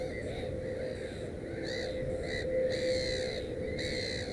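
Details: Loud, grating cries follow one another in quick bursts from a black-headed gull at its nest with three chicks, over a low steady hum.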